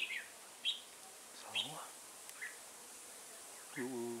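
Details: During a bulbul trapping session on 15 September 2018, a red-whiskered bulbul gives short, sharp chirped notes, with a low human voice near the end.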